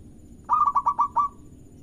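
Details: One rolling phrase from a local zebra dove, a lure song meant to set other doves singing: five quick, soft, slightly trilled coos in under a second, then silence.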